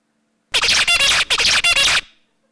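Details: A male zebra finch sings his unique learned courtship song, as heard by a courted female: a fast, buzzy, harsh song of stacked notes, with a short motif delivered twice in about one and a half seconds.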